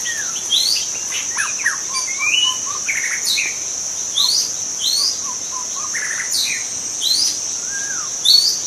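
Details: Young white-rumped shama in the wild forest, pouring out a long varied song of bright whistles, sweeping upslurs and short chattering notes in bursts, set against a continuous high insect whine.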